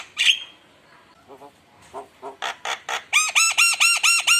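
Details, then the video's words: ['Javan myna song used as a lure against rivals: a sharp squawk, soft nasal notes, then a quickening run of harsh notes ending in a regular series of loud, ringing, arched whistles.'] "Pancingan Suara Mewah Jalak Kebo Gacor Bikin Panas Lawan"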